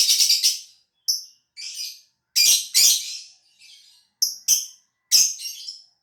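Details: Caged contest-quality lovebird from Gresik, East Java, Indonesia; harsh noisy chirps and short squeaky whistles in irregular bursts separated by brief silences.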